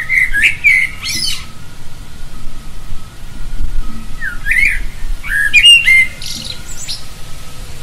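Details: Singing common blackbird: bursts of mellow warbled whistles, each ending in a thin, high twitter, separated by pauses of a few seconds, with a steady faint hum and low background rumble.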